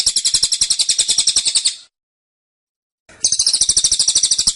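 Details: Kept cililin (Black-winged Flycatcher-shrike) giving dense, insistent 'tembakan' song: two bursts of high, rapidly pulsed trill separated by about a second of silence.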